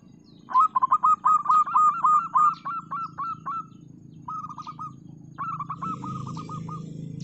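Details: Local zebra dove (perkutut) singing: a fast run of staccato, rolling coo notes at a mid pitch, then two shorter bursts, over a steady low hum with faint high chirps in the background.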